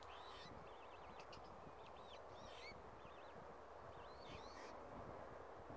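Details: Australasian swamphen chicks at Tamar Island Wetlands, 26 October 2018, giving thin, high, wavering peeps in short bursts every second or so, over a steady low rumble of wind.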